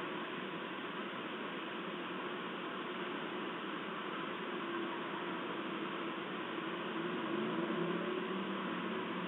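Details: No animal call stands out; there is only a constant hiss of broadband noise, like a fan or distant traffic, that swells slightly near the end.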